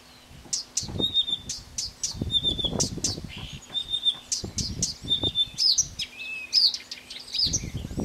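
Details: Blyth's reed warbler (Acrocephalus dumetorum) singing with wind intruding: a long run of high, clear repeated phrases, sharp chips and whistled slurs, each motif repeated several times before changing, over intermittent low wind gusts.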